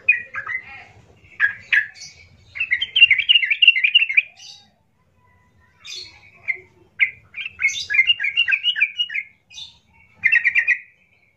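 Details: Provoking song of a yellow-vented bulbul, loud and rough, known locally as trucukan gacor; rapid bubbling phrases delivered in separate bursts with silent gaps between them.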